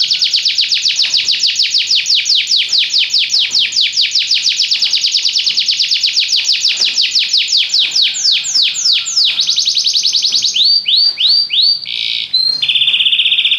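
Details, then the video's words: Singing Belgian canary delivering a long, very fast roll of downward-sweeping notes for about ten seconds, then slower looping whistled notes and a short steady high tone. "espetacular canto canário belga"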